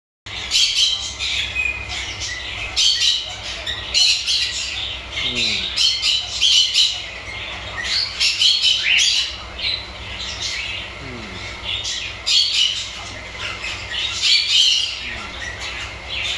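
A cockatiel gives a run of bright, harsh chirps and squawky notes.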